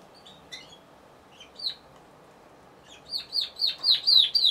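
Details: Timbrado Español canary singing in a song competition held 24–28 November 2015, judged in the individual C2 class on 26 November; sparse high chirps at first, then a run of about seven descending whistled notes repeated quickly.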